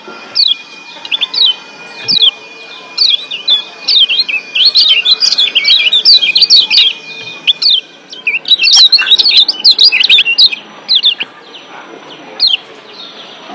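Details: Lombok white-eye, wild bird in breeding condition, with evenly spaced high falling chirps that speed up into long, dense bouts of twisting, buzzing twitter before easing back to single notes.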